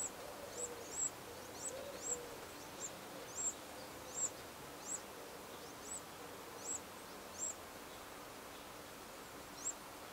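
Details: Brood of Eurasian wrens at the nest, 15 August 2011: brief, sharp, very high chirps repeated roughly every half to one second in a steady series, soft noise underneath.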